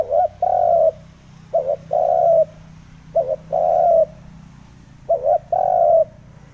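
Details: Lure call of a spotted dove meant to excite wild birds, four two-part coo phrases, a short wobbling note then a long level coo, about every one and a half seconds over a steady low rumble.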